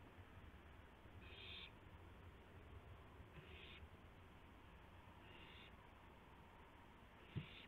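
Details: Owl in the small hours of April 2, 2016, delivering a gopher to another owl: four rough, hissing bursts about two seconds apart, a faint knock near the end, steady low hum behind.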